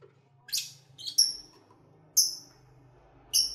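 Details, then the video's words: Pet lovebirds singing and playing give clear, piercing whistled chirps that drop slightly in pitch, about once a second, after an opening buzzy squeak, over a faint low hum. "1 Hour Lovebird Sounds"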